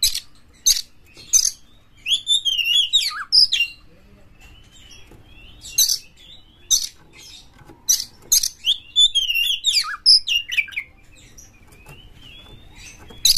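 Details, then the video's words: Aggressive Oriental magpie-robin used to spur other magpie-robins into song: loud, sharp, dry clicks repeated at uneven intervals, broken by twisting whistled phrases. "KACER GALAK dapat menyebabkan Kacer Anda GACOR NGEPLONG BONGKAR MATERI buka ekor dongkrak emosi"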